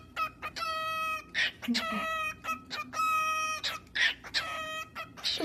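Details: Pet cockatiel, a male, singing to his own feathers indoors; repeated drawn-out flat whistles alternate with quick chirps and harsh scratchy notes, roughly one phrase every two seconds, with a faint human voice underneath.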